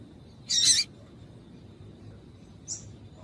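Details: A single loud, buzzy, high chip from a female double-collared seedeater, the call said to make males sing, then a much fainter short note after a pause of about two seconds.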